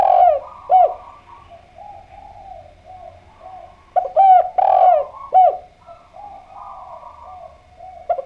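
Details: Spotted dove, called derkuku or tekukur, played to draw replies: repeated low coos in irregular clusters, with a fainter dove cooing in between the louder notes.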